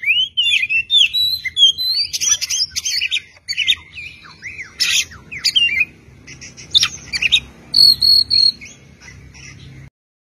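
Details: Tutoring recording of an oriental magpie-robin in full varied song: quick rising and falling whistles, harsh squawky bursts, scratchy chatter and short sustained whistled notes, stopping abruptly near the end.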